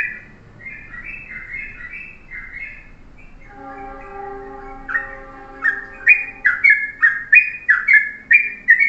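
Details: Morning master song of a yellow-vented bulbul in the short, tight style for tutoring birds: bursts of gurgling, slurred notes, broken midway by a steady droning tone before the rapid phrases return.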